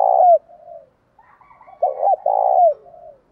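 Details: Fight-provoking call of a spotted dove, used to rouse kept doves: a long low coo tails off, quieter soft notes follow, then a stuttering double hoot and a drawn-out coo that slides down at the end.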